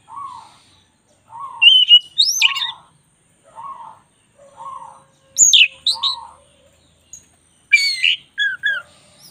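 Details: Black-breasted magpie-robin in full song on a training recording. Soft low warbles repeat about every second, with sharp, high rising whistles and squeaky flourishes bursting in between.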